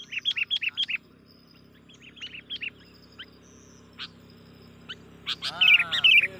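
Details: Sooty-headed bulbul call used to lure and agitate wild bulbuls: a quick run of sharp, bouncing chirps, then scattered single notes, and finally a louder cluster of warbling chirps over a low steady hum.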